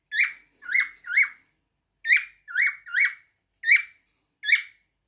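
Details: Repeated cockatiel song made of sharp, up-slurred whistles that dip at the end. The notes come in clusters of two or three, with short silent gaps between the groups.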